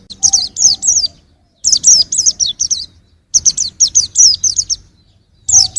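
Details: Young white-eye delivering repeated phrases of quick, thin, high falling chirps, three to eight notes each, with short silent gaps between phrases.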